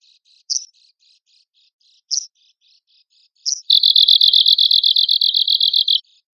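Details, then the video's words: Arctic Warbler song for bird contests: three sharp, high call notes spaced over three seconds over soft echoing notes, then a loud, fast, buzzy trill of evenly repeated notes lasting about two seconds. "CIKRAK KUTUB GACOR"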